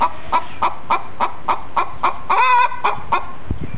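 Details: Hen perched on a chicken gym calling while another lays an egg: rapid, regular clucks, about four per second, broken by one drawn-out, wavering squawk before the quick clucks resume.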